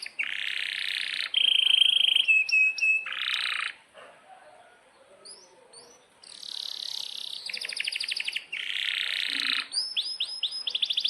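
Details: Canary in strong song, used as a master recording for young birds: buzzy rolls, a pure held whistle, rapid trills and clusters of rising chirps, with a short quiet gap midway.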